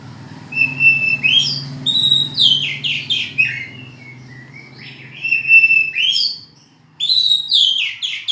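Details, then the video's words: Energetic kacer (oriental magpie-robin) singing fast runs of sweeping, slurred whistles and rich notes, phrases repeated with short gaps, over a continuous low droning hum. "kicauan burung hitam putih(kacer)"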